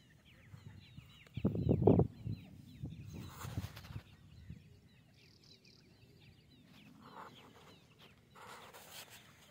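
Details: Irani teetar (partridge) chicks give thin, high, down-slurred peeps in quick runs, with low clucking and thumping bursts near the start.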